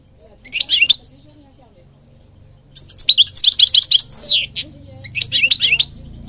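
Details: European goldfinch singing, used to train and stimulate birds in Morocco; high liquid twitters in three bursts, fast chattering notes with a sweeping downslurred note, short silences between phrases.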